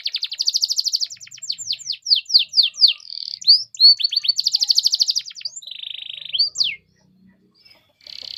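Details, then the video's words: Canary pancingan song intended to make other canaries sing: fast buzzy trill, then a string of sharp falling whistles, another dense roll, a lower buzz and a steep final sweep, followed by a short pause. "PANCINGAN KENARI GACOR"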